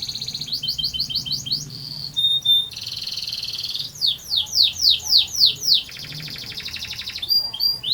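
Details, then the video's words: Long rolling canary song built from quick chopped trills, a held buzzy tone, a series of loud downward-sweeping notes about three per second, and a dense rattling trill near the end. "Burung Kenari Gacor Ngerol Panjang"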